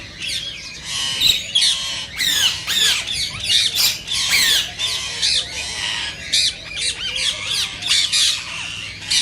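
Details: Rose-ringed parakeet, its call said to trigger singing and mating in other parakeets: loud, grating screeches in irregular clusters, interspersed with softer chattering notes.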